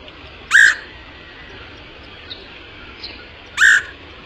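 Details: Lure recording of a woodpecker: a pair of short, coarse, strident squawks spaced three seconds apart, with a low rumbling background and faint distant chirps between them.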